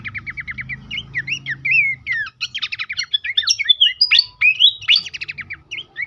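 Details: Horsfield's babbler song on a lure recording for encouraging caged birds to sing. Repeated short whistles open into a quick, jumbled series of chirps, trills and upward-sweeping notes, about three per second. Low rumbling noise is present at the start.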